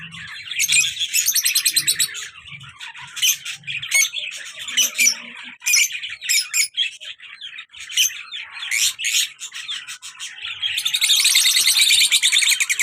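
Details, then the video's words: Caged lovebirds, a colour male with a black-masked female, very active; bursts of shrill chirps and buzzy trills come in clusters separated by short pauses, ending in a long continuous harsh chatter. "colour love bird male and black mask female beautiful sounds"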